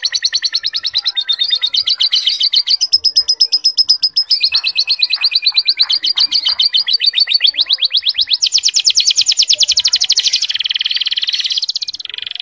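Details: A canary, singing lovebird-like phrases in its song, sings without pause in rapid, rolling trills and buzzy rattles, high-pitched, with the tempo shifting from phrase to phrase and no other sounds.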